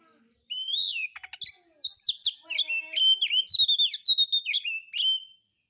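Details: Oriental magpie-robin singing a relaxed lure song of rough-style material meant to provoke other birds to sing: loud varied whistled phrases with rising and falling sweeps, interspersed with rapid buzzy clicking notes, after a short silent start.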